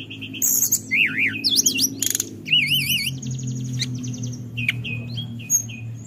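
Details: Forktail sound meant to provoke a rival's aggression: wavering warbled whistles rising and falling, scratchy bursts and a quick trill, then short high notes, with a low continuous background hum.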